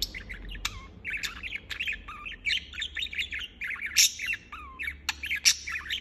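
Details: Steady chatter of a chirping budgerigar, rapid warbling notes and short whistled slurs with a couple of bright, sharp squawks toward the end.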